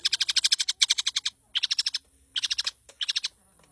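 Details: Long-tailed shrike in lively song: bursts of rapid, harsh chattering notes, about eight to twelve per burst, separated by short pauses.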